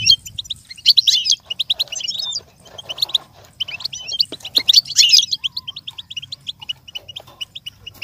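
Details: Goldfinch tutor song for learning birds: long, rapid high twittering with clustered buzzy trills near the first and fifth seconds, then fading into steady, softer chirps.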